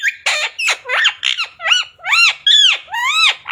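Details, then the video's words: Pet parrot, tagged as an Indian ringneck, saying words such as mummy papa and radhe radhe: a rapid string of harsh, squeaky, voice-like syllables with arching slurred tones, indoors. "Parrot talking mummy papa | Parrot talking radhe radhe | राधे राधे बोलने वाला तोता"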